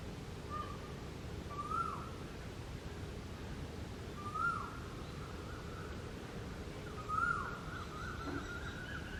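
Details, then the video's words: An Asian koel (koyal) sings clear, rising 'ko-el' whistles, three in all, about every three seconds, over a steady low rumble of background noise. "Unique sound of Koel singing, Koyal ki Awaaz, Cuckoo Bird voice"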